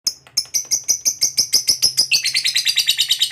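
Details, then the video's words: Lovebird, a fighter-type cage bird, giving a long 'ngekek' trill used to prompt other lovebirds to sing: rapid high chattering notes repeated about three per second, speeding up and dropping slightly in pitch near the end, with a faint low hum beneath. "SUARA BURUNG LOVEBIRD NGEKEK PANJANG TERAMPUH BUAT PANCINGAN LOVEBIRD AGAR CEPAT NGEKEK GACOR"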